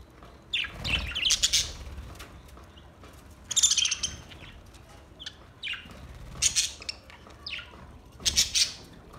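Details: Budgies giving bursts of high, rasping chirps and warbled notes every two to three seconds, with quieter scratchy twitters and soft flutters between them.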